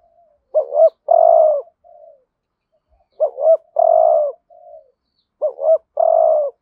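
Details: Decoy spotted dove calling wild doves with the 'thúc gù' series in 'hạp bổi' voice. Three phrases about two seconds apart, each a bouncy two-part note, then a drawn-out husky coo and a faint trailing murmur. Clean background.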